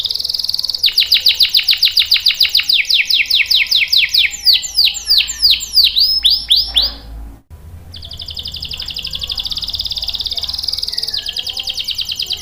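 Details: Long canary song meant to lure and tutor young and stalled canaries: a fast trill slowing into a series of loud descending whistled sweeps, a brief pause, then a smooth, buzzy high roll and a final burst of chirps.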